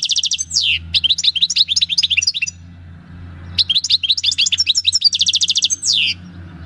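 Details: Wild-caught European goldfinch, taken in 2018 at El Paso, singing its natural field song: two bursts of rapid twittering, buzzy trills and tinkling notes, each ending in a rapid repeated note series and a falling slurred note, with faint low hum beneath.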